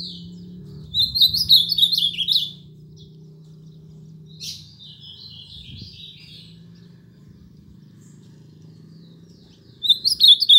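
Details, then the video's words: Ultramarine grosbeak singing: a quick warbled phrase of high, slurred whistled notes lasting about a second and a half, a softer, fainter phrase a few seconds later, then the loud phrase starting again at the end; low hum in the background. "Azulão top"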